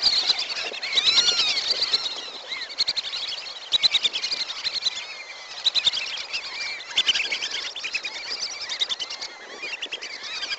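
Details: A flock of wandering whistling ducks keeps up a dense chorus of thin, high whistles, many voices overlapping in quick bursts every second or so; a recording used as a lure call.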